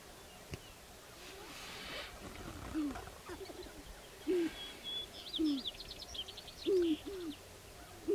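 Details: Sharp-tailed grouse on a lek in Northern Wisconsin in spring 2021: soft low hoots with a downward bend, increasingly frequent toward the end, over a high twittering songbird and light background noise.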